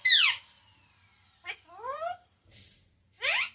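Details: Pet parrot that talks, saying papa and mummy loudly: a loud falling screech, then softer sliding whistled notes and a final shrill burst.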